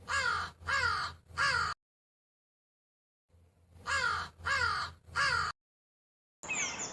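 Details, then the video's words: Crow giving harsh, hoarse caws in two bursts of three, each call slightly falling and evenly spaced about half a second apart, separated by a silent pause, followed by a brief different rasping sound at the end. "Crow sound videos - crow bird crowing sound - Crow sound effects"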